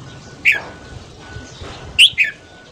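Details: Morning song of a Red-whiskered bulbul for voice training and stimulating other birds to sing: two brief sharp chirped notes about one and a half seconds apart, over a thin steady whine and quiet background.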